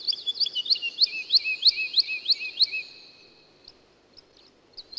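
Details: Woodlark song: a quick series of about a dozen clear, liquid notes, each sliding downward, delivered evenly for three seconds and then falling silent, with one brief note near the end over a faint, steady background hiss.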